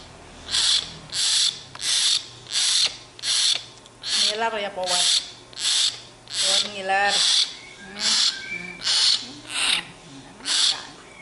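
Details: A tame young hill myna, cranky and wanting to eat bread, gives harsh, hissing screeches about twice a second, with a few brief whistled, warbling notes mixed in.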